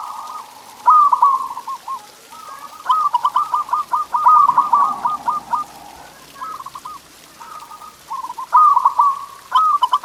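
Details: Perkutut, the local zebra dove, in a stimulating master song: repeated trilled coos, including a long phrase of quick pulsing beats, with shorter stuttering phrases following through ten seconds.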